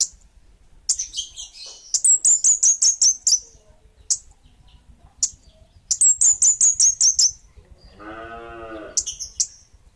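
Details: Kemade Bunga Api bird delivering bursts of fast, high whistled chirps, several notes per second, with scattered single notes between bursts and a lower, harmonic nasal call near the end.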